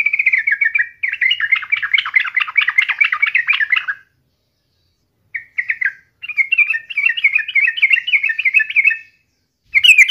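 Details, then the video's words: Lively sooty-headed bulbul chatter, played daily to coax other bulbuls into frequent song: long rapid bursts of jumbled, bubbling notes, broken by short pauses, then a brief resumed phrase at the end. "KICAU SUARA trucukan gacor ini COCOK BUAT PANCINGAN HARIAN agar burung trucuk gacor & rajin bunyi"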